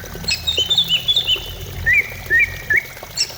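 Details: Greater green leafbird song played to prompt a caged bird to sing: quick high whistled slurs and twitters, some rising, some falling, in short bursts with brief pauses, over faint low hum.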